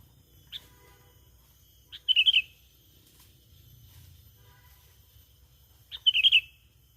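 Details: Sooty-headed bulbul lure call: two brief bubbly phrases about four seconds apart, each a quick run of four chirps preceded by a soft single note, with a constant faint high tone behind.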